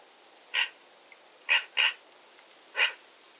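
Eurasian magpie giving four harsh, rasping chack notes, one of them a quick double, spaced irregularly against a quiet background.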